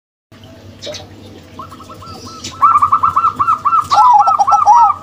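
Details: Local female and crossbred male zebra doves; after a quiet start, soft arched cooing notes begin, then a loud, rapid run of staccato rolling coos fills the last two seconds, with a second, lower overlapping voice.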